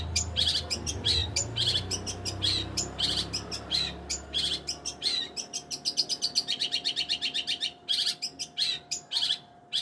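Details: Sustained, energetic song of a long-tailed shrike: quick scratchy chirps building into long rapid rattling trills, then a few sharper notes, with low rumble early on and a steady hum.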